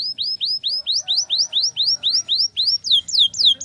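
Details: Canary tutor song in the ngriwik style, used to teach young canaries to sing and to coax them into singing steadily. High rising whistled sweeps repeat about four times a second, turning into falling slurs near the end.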